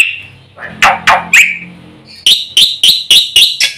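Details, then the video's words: Black-winged myna in fast full song, played as a lure for silent mynas: a drawn whistle, a few harsh swooping notes, then a quick even series of sharp, bright calls. "suara masteran jalak putih gacor full isian cepat untuk pancingan burung jalak macet bunyi"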